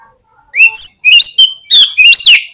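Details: Oriental magpie-robin song used as a lure for quick responses and tail-spreading: clear rising whistles and slurred notes, loud and varied, in quick succession.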